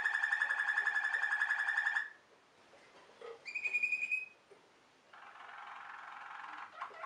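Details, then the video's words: Song canary, a bird bred for its singing ability, delivering a rapid rolling trill for two seconds, then a short clear whistled note, followed by a softer buzzy rolling tour; no other sounds. "List of Song canaries singing : Bred for their sweet Canary singing ability"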